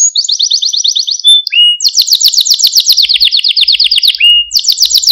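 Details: Male Maltese canary in song meant to excite other canaries and teach young ones: a fast high trill, a brief whistled note, then a long rapid rolling tour easing downward, closing with another quick trill.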